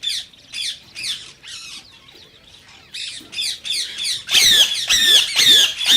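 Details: Rose-ringed parakeet calling to stimulate other parakeets to sing and mate: harsh, downslurred squawks repeated about twice a second, softer at first, then louder and more piercing toward the end.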